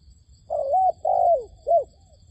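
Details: Decoy dove used for trapping wild doves gives a single low coo phrase: a short bent note running into a longer sustained coo, then a brief clipped final note, against faint background hum.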